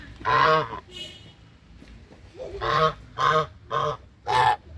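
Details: A run of five nasal honks from hungry brown Chinese geese, the first drawn out and the rest shorter and evenly spaced, with faint calls in between.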